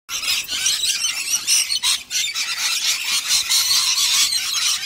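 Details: A pair of rainbow lorikeets screech in a harsh, high, continuous chatter of overlapping shrill squawks with hardly a pause, driving cockatoos away from their food bowls.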